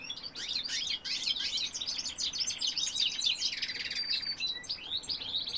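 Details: Goldfinch cock singing rapid, high tinkling twitters that run into a nasal buzzy trill near the end, followed by a few thin whistled notes.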